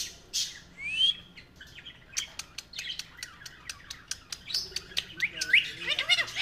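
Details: A friendly talking pet ringneck parrot gives a rising whistle, then a quick run of dry clicks about every quarter second, closing with a burst of bright upslurred squeaks and chatter.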